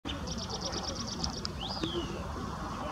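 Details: An Oriental greenfinch singing at Chanba on 15 April 2018: a quick series of high, even twittering notes, then a drawn-out wheezy note that rises and falls, over steady low background rumble.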